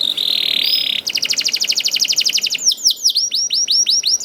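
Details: Juvenile canary song used to prompt other canaries to sing. A level high whistle gives way to a fast rattling trill, then a run of repeated downward-curving chirps.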